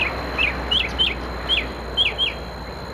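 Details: Mockingbird singing in the evening, 6 October 2013 at 17:30: a rapid series of short, sharp slurred chirps, about eight notes in three seconds, each bending down in pitch, over a steady high electrical whine and faint background hiss.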